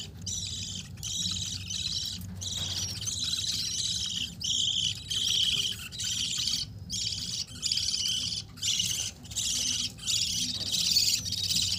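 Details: Pet yellow red-eyed adult budgerigar pair with five babies chatter in busy, high-pitched bursts of scratchy chirps and warbles, with a low hum behind.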